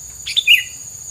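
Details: Bird song: a short sharp chirp made of two quick high notes, the second louder with a brief downward tail, against a faint steady high hiss.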